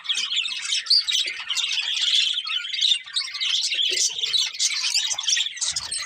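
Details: Colourful pet budgerigars of a breeding pair warbling and chirping in a lively, uneven stream of high twittering notes, with a few sharper whistled peaks.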